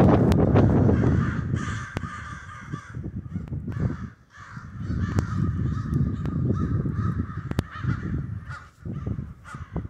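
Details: A murder of crows roosting in snow in Denver, many birds cawing at once in a dense, overlapping chorus of harsh repeated caws, with a steady low rumble underneath.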